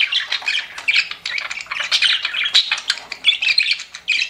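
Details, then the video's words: Quick, squeaky chatter of pet budgerigars, with rapid chirps, squawks and short trilled notes pulsing several times a second. "CUTE PET BUDGIES CHIRPING"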